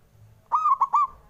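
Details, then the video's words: Male zebra dove singing to provoke rivals: one short phrase of a mellow, hollow coo followed by two quick rounded notes, all at a steady mid pitch. "Perkutut Manggung Santuy & Los Bikin Lawan Emosi❗"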